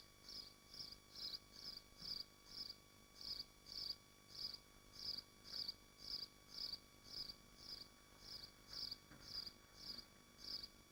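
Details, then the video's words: At a swift nest in Machynlleth, Wales, within the Dyfi Biosphere, a long run of about eighteen short, high-pitched buzzy bursts pulses steadily for eleven seconds, close together, over a low electrical hum. "Machynlleth Nesting Swifts Live Stream"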